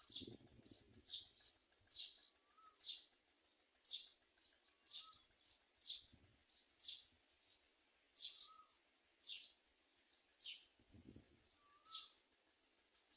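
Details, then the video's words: Common myna bringing food to its young. High, sharply falling chirps repeat roughly once a second, with an occasional soft low whistled note and a few brief low thumps. "Common myna birds bring nestlings for their young to eat."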